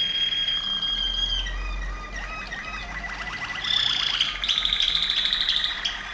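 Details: Waterslager Malinois canary, Veliko Gradiste, Serbia: a long even whistled tone, then fast descending bubbling notes and a bright, rapid ringing trill rising toward the end.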